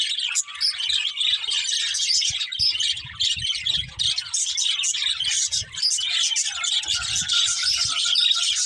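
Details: Chirping budgerigars keep up a lively, unbroken chatter of high twittering notes and short squeaks, with soft low knocks and rustles underneath.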